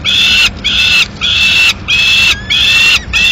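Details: Peregrine falcon at a nest in Madrid on 15 May 2016, as the male brings in a still-living swift that the female then finishes off; loud, drawn-out harsh notes with strong harmonics, about half a second each, repeated steadily with short gaps.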